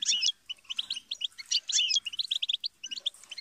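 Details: European goldfinch singing a fast, tinkling run of high twittered notes and short slurred whistles, broken by a brief pause near the start and another before the end.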